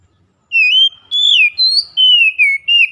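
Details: Loud ngeplong-style lure song from a kept Oriental magpie-robin: a run of strong pure whistles, each about a third of a second long, gently wavering and falling, with one rising phrase and no other sounds.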